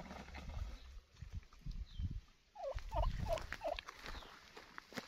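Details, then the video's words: Four evenly spaced, hoarse, falling notes from a wild turkey midway through, over a steady low rumble and faint background noise. "Wild Turkey Bird Sound"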